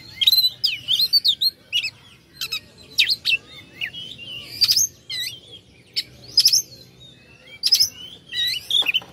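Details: Oriental magpie-robin, locally kacer, in provoking song for rival birds: continuous rich medley of high whistles, quick trills and sharp squeaky notes, with short gaps between phrases.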